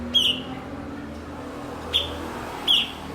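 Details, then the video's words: Blue-winged leafbird, kept as a master bird for training other songbirds: three sharp, sliding chirps spaced about a second apart over a steady low background hum. "MASTERAN BURUNG BERKICAU "CUKOK""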